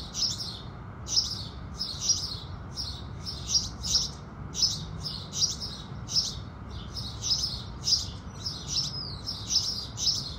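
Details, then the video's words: Morning song of house sparrows at sunrise: loud, clipped chirps repeated about once a second in a regular series for ten seconds, each a quick high burst, with soft steady background noise. "Sparrows Singing"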